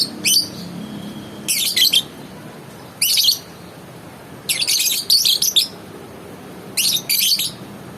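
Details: Lovebird giving shrill, harsh chirps in short bursts, one short burst, then a double burst, a single, a long rattling double run and a final pair over eight seconds, with a faint low hum behind.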